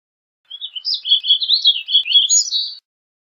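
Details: A single continuous warble from a Warbling vireo (Vireo gilvus), over two seconds of hurried, fluid notes that ripple up and down without a break, in otherwise quiet surroundings.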